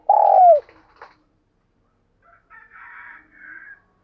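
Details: Caged decoy spotted dove in strong condition, calling to provoke wild doves: one loud, smooth coo that slides downward, followed by faint, higher chirping from another bird.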